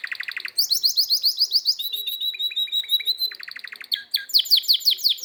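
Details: Singing canary: bright high trills shifting between phrases, from rapid repeated chips to sweeping whistles and fast buzzy rolls, clean background.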